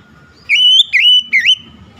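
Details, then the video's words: Oriental magpie-robin song meant to stimulate lazy birds to sing: three loud, pure whistles, each dipping then rising into a long steady tone, run close together within a second. "KICAUAN SUARA TAJAM JERNIH PEMULIH AMPUH KACER MALAS BUNYI LANGSUNG GACOR"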